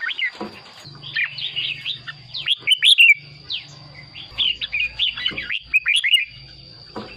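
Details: Red-whiskered bulbul song used to make caged birds excited or for decoy trapping: rapid run of bright slurred whistles, a short gap, then another busy warbled phrase, set against a steady high whine and intermittent low hum.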